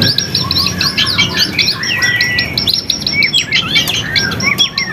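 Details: Lure song of a white-rumped shama, 'gacor' style: quick series of sharp chirps and downslurred whistles, one clear sustained whistle, then scattered varied notes over a faint low hum.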